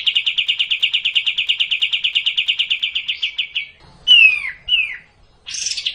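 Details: Kapas tembak, the sooty-headed bulbul, singing racin style: a fast chattering trill for nearly four seconds, then two loud downslurred whistles and a short raspy burst.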